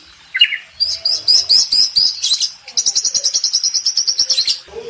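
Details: Champion contest Oriental magpie-robin singing master song: a short low note, then a fast series of high ticking chips followed by an even, rapid repeated trill of about sixteen notes.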